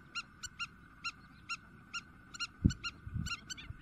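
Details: Spur-winged lapwing in Greece, April 2023, giving intense calls: bright, harsh, strongly ringing notes spaced roughly every half second, then quickening. A thud and some rustling near the end, with a steady drone behind.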